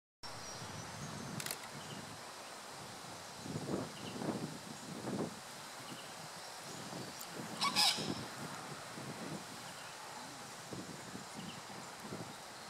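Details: Yellow wattlebird, endemic to Tasmania, gives harsh, low, guttural coughing notes in short bursts every second or so, with a couple of sharp clicks over a steady outdoor hiss.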